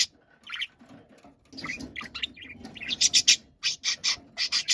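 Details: Noisy pet budgerigar in an angry outburst: scattered chirps and raspy warbles give way to a rapid series of loud, piercing, buzzy shrieks, several in a row, with a soft indoor background murmur.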